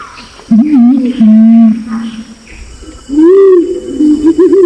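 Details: Male and female Pinon's imperial pigeon lure calls: a wavering low hoot and a long steady moan, a short lull, then rising-falling coos and quick wobbling low notes.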